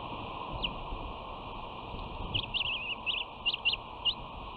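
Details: At the West End nest, 13 June 2019, a bald eagle sister greets her sibling aggressively, pinning her wing with a talon: a one-second gap, then rapid high squeaky chitters and a short wavering trill.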